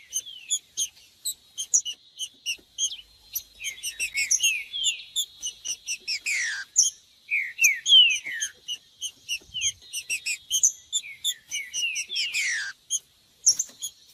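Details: Green-winged saltator singing, a recording meant to warm up a cold captive bird: bursts of downward-sliding whistled notes separated by brief gaps, with dense, evenly repeated high chirping throughout.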